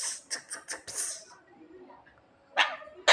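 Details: Javan myna imitating someone coughing: a quick string of about five harsh, breathy bursts, a quiet pause, then two more abrupt cough-like blasts.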